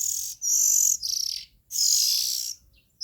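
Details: Oriental magpie-robin nestlings give three loud, breathy, hissing shrieks, the last one longest at close to a second, with brief pauses in between.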